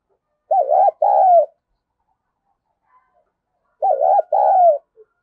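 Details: Two matching coo phrases from a female spotted dove, used to excite males; each is a quick wavering coo followed by a longer falling note, about three seconds apart. Silent background.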